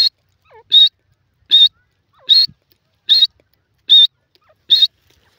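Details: Francolin called Sindhi teetar: six sharp, high whistled notes spaced evenly about every 0.8 seconds, with faint low slurred sounds in the gaps.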